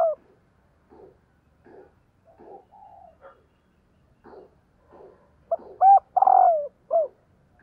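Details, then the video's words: Female spotted dove calling to attract males. Scattered soft taps and low notes lead into one loud phrase: a short note, a looped double coo, a long burry falling coo and a short final coo. "CU GÁY MÁI KÍCH TRỐNG"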